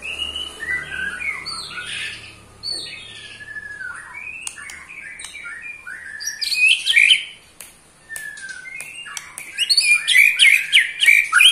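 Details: Ketrekan from an eight-month-old white-rumped shama, a song that angers other shamas: varied whistled slurs and clicks, then bursts of fast rattling trills twice, each a dense run of bright descending notes.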